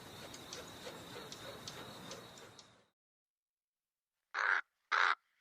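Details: A soft hiss with faint ticking sounds fades into silence, then a black crow breaks in with two loud, rasping caws in quick succession and the start of a third.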